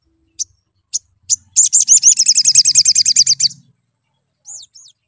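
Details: High sunbird song played as a lure to stir birds into singing: three spaced sharp chips lead into a quick, even trill of rapid ringing notes lasting about two seconds, with a soft low rumble underneath and one trailing call.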